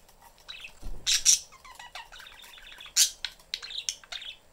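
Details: Caged pet budgerigars, a family with a youngster seeking attention: harsh squawks and loud chirps, then a quick sequence of short descending whistled notes and twittering, with a low thump early on.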